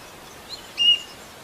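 Asian emerald cuckoo giving one brief, high, thin whistled note, with a fainter short chirp just before it, over a light background hiss.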